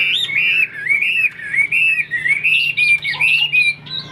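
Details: Chinese hwamei in a cage, a fighting bird with a tall posture, pouring out continuous loud, fluid whistled phrases that rise and fall smoothly, with brief pauses between them.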